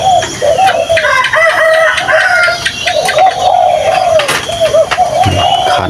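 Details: Captive Spotted Dove kept as a decoy, cooing during training alongside its young while wild birds stay silent; low hollow coos run almost without pause, overlapping one another, with fainter higher whistled tones and background noises above.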